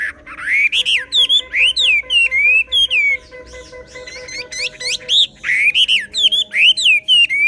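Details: Chinese hwamei singing in the Vietnamese 'xòe' style: loud, rapid run of varied whistled phrases with sharp rising and falling sweeps and slurred notes, bursts repeating with barely a pause throughout, over a faint steady low hum.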